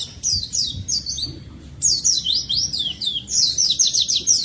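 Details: Vigorously singing oriental white-eye, used as a lure and tutor for lazy white-eyes. It gives quick series of high, sliding chirps in dense runs, with a brief gap before the twittering resumes more intensely.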